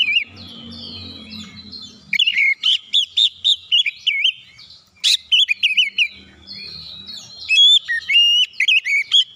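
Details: White-rumped shama singing to provoke other shamas, giving long runs of loud, varied, wavering whistles and sharp chirps with brief pauses, over a faint low hum.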